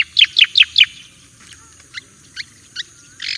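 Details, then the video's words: Javan white-eye master song for training birds: four loud, quick descending chirps in under a second, followed by softer spaced single notes and a brief harsh buzz at the end. "Suara Burung Cica Koreng Jawa : Masteran yang Handal Dan Banyak Dicari."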